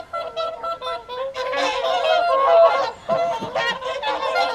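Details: Whooper swans at an evening feed on the Folly Pond, WWT Caerlaverock, January 2023. A few drawn-out, horn-like notes open, then many birds join in a loud trumpeting chorus with one brief lull near the end.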